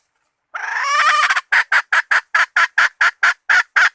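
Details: Hen bait call opening with a drawn-out, rising, raspy squawk that breaks into about a dozen evenly spaced, clipped clucks, loud and close.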